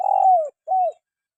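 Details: Spotted dove call used for training lazy caged songbirds: a longer hoarse coo sliding slightly downward, then a brief pause and a shorter, smoother coo that also falls at the end, otherwise quiet.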